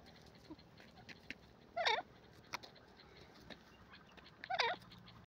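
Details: Grey francolin giving two short, ringing, upward-curving call bursts about three seconds apart, fairly faint against steady background noise and a few soft clicks.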